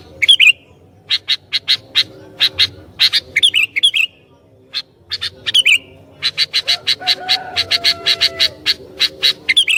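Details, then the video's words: Vocal sooty-headed bulbul said to provoke other bulbuls: rhythmic chains of crisp chirps alternating with short downward-slurred whistles, a brief pause, then a fast steady run of chirps. "Burung Kutilang Gacor Ini Sangat JAGO Mancing Kutilang LAIN"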